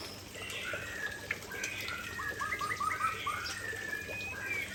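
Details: Murai Aceh white-rumped shama delivering its prized fill song: sustained whistles open, then a rapid string of rolled, looping notes repeated about five times, followed by a thin rising whistle at the end.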